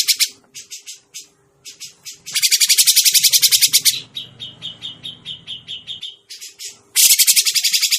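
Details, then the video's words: Grey-cheeked bulbul, recorded as a trapping lure: short bursts of harsh chatter alternate with longer buzzy rattles of rapid pulses and a quieter stretch of repeated scratchy notes, a steady hum underneath. "suara pikat burung cucak jenggot masteran burung cucak jenggot"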